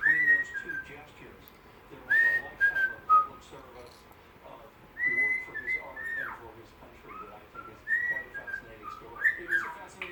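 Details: Indoor pet bird whistling fragments of a TV show theme tune while tired and wanting a nap; short bright whistled phrases, some falling at the end, repeated in bursts every two to three seconds with quiet gaps between.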